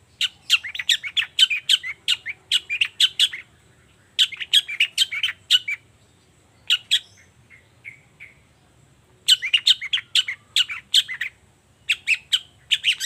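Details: Long-tailed shrike singing vigorously in the morning, a lure recording meant to make silent shrikes answer. Rapid bursts of harsh, scratchy chirps in dense runs, broken by short pauses and a few soft thin notes, then resuming.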